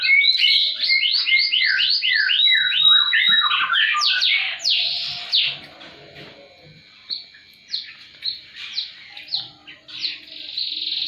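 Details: Canary song offered to stir non-singing canaries and to tutor birds: fast rolling trills and chopped downslurred notes, a pause, then loud broad buzzy bursts followed by separate short high chirps spaced about half a second apart.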